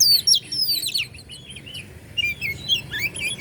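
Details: Oriental magpie-robin (kacer) from Bandung, Indonesia, its song played to provoke and rouse other birds: rapid, varied high whistled phrases with sweeping slurred notes, a short pause, then more rising and falling whistles.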